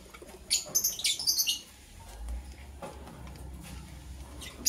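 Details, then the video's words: Green and blue lovebirds preparing for egg laying utter a quick run of shrill, scratchy chirps for about a second, then soft rustling and one faint chirp near the end. "Green and Blue Lovebird Chirping Sounds - Preparation for Egg Laying"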